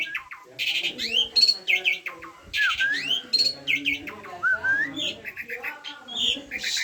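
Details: Asian pied starling song: a jumble of clear slurred whistles sweeping up and down, interspersed with grating noisy bursts and short chattering notes, steady and continuous.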